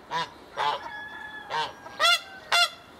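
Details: A pair of captive swan geese recently moved to an open enclosure: five loud, nasal honks at roughly half-second intervals, the last two louder and harsher, with a faint whistled tone between calls.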